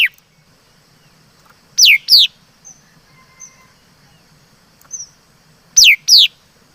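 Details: Two quick pairs of loud, down-slurred whistled notes from a laughingthrush (chim mi đất), the pairs several seconds apart. Brief soft high notes and a faint steady tone fill the quiet stretch between them.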